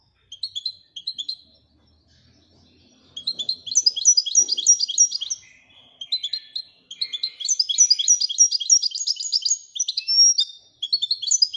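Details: Royal European goldfinch giving a sustained, tinkling twitter of rapid high chirps and trills, broken by brief pauses, with a few lower buzzy notes mixed in and a faint low murmur in the background.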